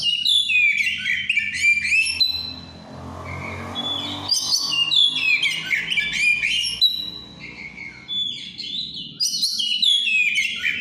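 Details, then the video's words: Breeding-condition white-rumped shama singing vigorously in ngeplong style, three bursts of rich, fast whistled and chattered phrases separated by quieter pauses with soft background hum. "GACORNYA BURUNG LAGI OVER BIRAHI CUMA NGEPLONG"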